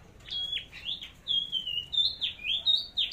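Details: Red-headed flowerpecker delivering a fighting song, tested ahead of a forest trip: rapid run of high sliding chirps and drawn-out thin whistles, rising and falling, fairly continuous.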